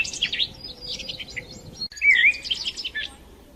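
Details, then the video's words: Sparrows twittering in the morning: high, scattered chirps from several birds, a brief gap, then a clear wavering whistled note among renewed bright chatter. "زقزقةالعصافير للإستمتاع بصباح رائع"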